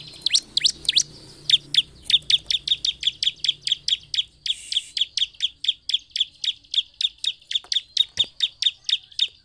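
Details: Bar-winged prinia (ciblek) singing to provoke other prinias: a few sweeping downslurred notes open, then a long steady run of sharp, evenly spaced high chips, roughly three per second.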